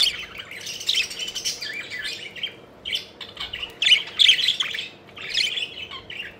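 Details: Playful pet budgerigars flying about give bursts of scratchy warbling and sharp chirps separated by short quiet gaps, with the loudest cluster around the middle.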